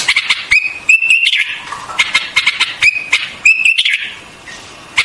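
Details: White-eared bulbul giving repeated short, level whistled notes at a steady mid-high pitch, roughly every second, with sharp clicks between phrases and a quieter stretch near the end.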